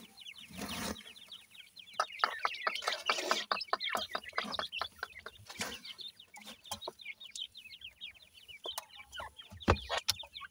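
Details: Grey francolin (dakhni teetar) chicks being fed: a dense chorus of short, high, downward-slurred peeps from many chicks, overlapping and irregular, with a few louder broadband bursts of handling noise.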